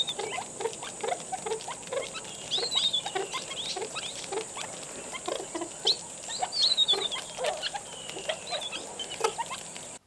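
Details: Crested Francolin in Southern Africa giving its feeding chuckle: soft, low clucking notes, two or three a second, over a steady high insect drone and a few thin chirps.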